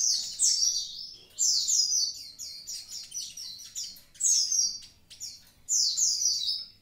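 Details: Javan pied starling singing actively, likely kept as a cage bird: loud, high, bright chattering phrases of rapid whistled notes, each burst lasting about a second and repeating roughly every one and a half seconds, with a faint low hum beneath.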